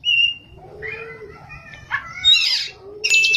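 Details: Kacer, the Oriental magpie-robin, singing ngerol and nembak: a high whistle, soft lower hooting whistles, a harsh buzzy burst, and a final loud whistle.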